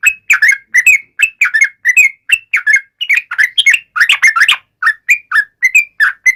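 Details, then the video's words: Yellow-vented bulbul taunting rivals: chattering bursts of sharp whistled notes, partly doubled and uneven in spacing, with a denser tumbling flurry in the middle before steadier single whistles resume. "trucukan gacor MENGEJEK LAWAN"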